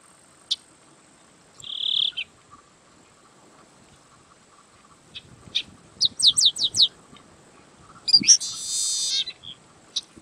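Yellow-winged blackbird giving high, buzzy notes, a quick run of four sliding strokes, then a harsh rasping burst, over a faint steady background whine.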